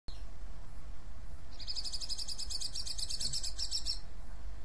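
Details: White-eye chatter used to lure other white-eyes into answering: a dense, rapid buzzy rattle of high notes lasting about two and a half seconds, over a steady low background hum.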